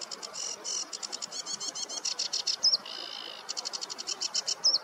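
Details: On a warm morning meadow, a sedge warbler pours out rapid harsh chattering notes, a brief lower buzzy trill midway, and sharp whistled flourishes, loud and close.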